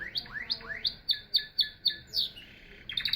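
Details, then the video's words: Canary phrase of upswept, rising notes repeated about three times a second, followed by a short pause and a quick cluster of high notes. "Singing Canary"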